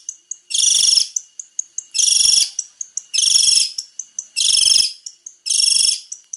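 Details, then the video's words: Long-tailed shrike, a male in varied song: loud raspy bursts about every second, each followed by a string of thin, high ticking notes. "PANCINGAN BURUNG CENDET GACOR BANYAK VARIASI"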